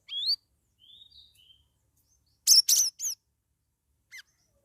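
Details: Caged cucak rawis (straw-headed bulbul) in gacor form, two weeks out of a group cage: a sweet upslurred whistle, quiet warbles, then three loud, ringing, bubbly notes in quick succession and one final short note.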